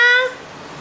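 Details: A four-year-old male Eclectus parrot, during a talking session with praise such as "good boy", gives one brief, clear, tonal, word-like syllable that fades quickly into quiet room noise.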